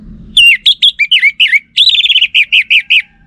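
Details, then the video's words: Caged orange-headed thrush in Singaraja, North Bali, played as a lure song said to draw answers from males. Clear, loud, high whistled phrases with rapid slurred and trilled notes, then a fast run of repeated short downslurred notes. "Ga Bunyi Dengan Pancingan Burung ANIS MERAH Ini dipastikan Itu Burung Betina, Jantan Pasti Nyaut"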